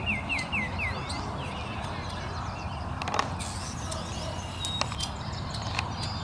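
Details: Brood of Wood duck ducklings at High Park: a quick run of four clear, down-slurred peeps at the start, then scattered thin high calls over steady low background rumble and a few sharp knocks.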